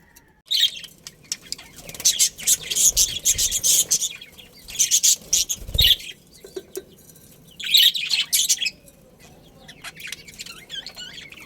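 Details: Budgerigars of a breeding colony chatter in dense, raspy, high-pitched warbling runs that come in three main bursts, with quieter chirps between them.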